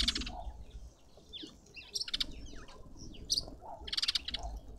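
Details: Green wood hoopoe (Phoeniculus purpureus), close up in a suburban garden in Pretoria, South Africa, giving three bursts of harsh, rattling cackles about two seconds apart, with thin swooping whistles from other birds between them.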